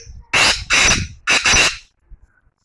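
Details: Black francolin calling: four loud, harsh, rasping bursts in quick sequence, two close pairs of grating notes, followed by quiet with faint background sounds.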